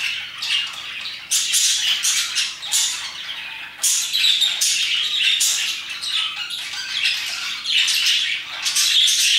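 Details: Parakeets singing and chirping near 2pm: a continuous chorus of rapid scratchy chirps and squawks, several loud bursts per second, overlapping voices throughout.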